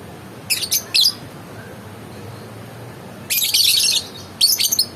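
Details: Lovebird giving shrill, high-pitched chirps: a quick cluster of three short bursts, then after a pause a longer harsh run and a final choppy group, with a faint low hum behind.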